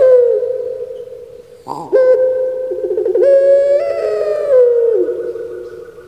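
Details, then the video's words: Pet puter pelung, the domesticated Barbary dove popular on Java, ending one long coo, then after a brief break starting a loud new coo that steps up, wavers and drops, like the 'kuk gerukkk kwokkk' voice. "SERING DIKIRA SUARA ORANG MENANGIS TIDAK TAUNYA SUARA BURUNG"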